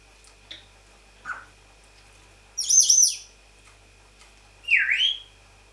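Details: Pet African grey parrot making noises indoors: a few faint short chirps, then a loud warbling whistle with rapid pitch swoops, and a final swooping whistled call dipping and rising, over a steady electrical hum.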